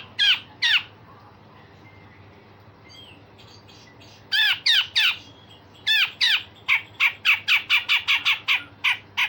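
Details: Grey-cheeked bulbul song with coarse rasping and sharp shot notes, meant to train other songbirds: two harsh bursts, a pause, then rapid strings of loud, down-slurred, buzzy notes.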